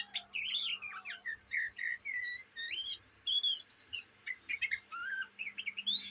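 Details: Young Oriental magpie-robin, Indonesia, in ngriwik chatter sung day and night: varied whistles, drawn-out slurred notes and short crisp chips flowing in uneven phrases, with a faint low hum throughout.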